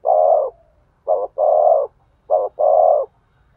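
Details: Spotted dove cooing to stimulate a male: a long, low, hollow coo, then two phrases each made of a short clipped note followed by a longer drawn-out, slightly falling coo, with clear gaps between phrases.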